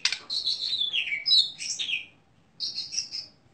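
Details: A caged contest Oriental magpie-robin with crystal-clear vocals gives a short run of high whistles sliding downward and a sharp note, then after a pause a steady high trilled phrase.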